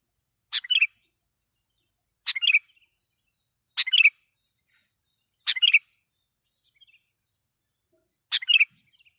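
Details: Sooty-headed bulbul lure song used to call in and provoke wild bulbuls. Five short, sharp, bubbly phrases spaced about one and a half to three seconds apart, with a quiet background.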